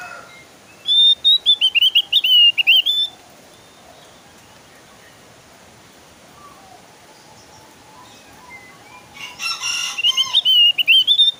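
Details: Javan grey-throated white-eye singing, used as a lure to make kept birds of the same kind sing along: two bursts of rapid, high whistled notes, sharp and quavering, separated by about five seconds of faint background hiss.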